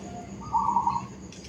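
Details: In a suburban housing complex, a zebra dove gives one brief, soft, rolling coo, mid-pitched and slightly trilled, over a low steady hum with a faint rustle near the end.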